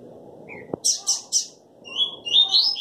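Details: Crossbred coleiro singing in a small room: short buzzy high notes, then a rising whistled phrase near the end, with a low click early on and faint room noise.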